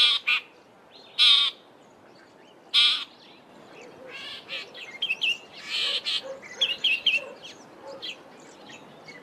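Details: Southern Fiscal in a garden in the Eastern Cape, South Africa, giving three harsh, grating bursts about 1.5 seconds apart, then a run of scratchy chattering notes, with faint lower calls in the background.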